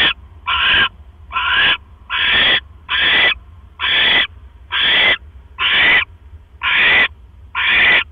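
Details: Barn owl at the nest on 12 October 2015 at night, while a male delivers another mouse: a regular series of ten harsh, hoarse, hissing screeches, each about 0.4 seconds, spaced under a second apart.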